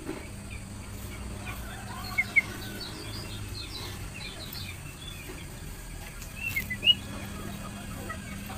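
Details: A female lemon-bellied white-eye gives two brief bursts of high, thin chirps a few seconds apart, over a steady low hum and hiss; these calls are played to stimulate males to sing.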